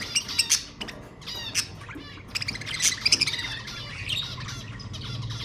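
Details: Budgerigar warbling, with sound meant to stimulate mating: fast overlapping chirps and scratchy trills, growing denser in the second half with a quick pulsing run of notes.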